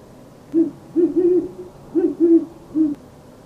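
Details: Great horned owl, a common species around Lexington, Kentucky, gives its traditional deep, soft hoots: six low notes in a stuttering rhythm of two and three over about three seconds, over faint background hiss.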